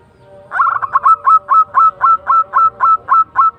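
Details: Local zebra dove delivers a fast even series of about a dozen short, slightly falling notes, roughly four per second, after a brief stuttering start.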